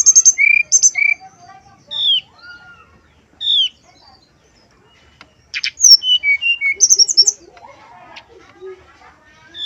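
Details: Flute-like song of a male brown-chested jungle flycatcher: phrases of clear, sweet whistles, some high and bright, others dropping in pitch, broken by short pauses and ending in quick notes.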